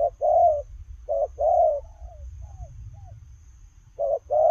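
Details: A spotted dove coos as it runs, giving short-then-long paired coos, with a pause where faint thin sliding whistles are heard before the pairs resume; faint low rumble underneath.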